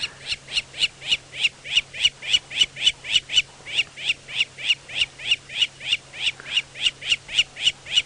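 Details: A lapwing at Djuma, Sabi Sand, South Africa, on a 6:30 AM sunrise drive on 20 July 2017 calls without pause. It gives a sharp, high, ringing note about three times a second, urgent and insistent, over a vehicle engine hum. A nest with eggs is thought to be nearby.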